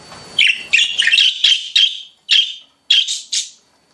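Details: Pet budgies chirping in quick bursts, a run of clipped, bright notes tumbling together in the first two seconds, then a few spaced single chirps before falling silent.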